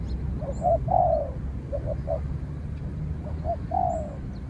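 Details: Spotted dove calling at a rival during a decoy training outing, the wild bird fighting from afar: a few soft short coos building into longer slurred, falling coos, separated by pauses, with faint high chirps and low hum.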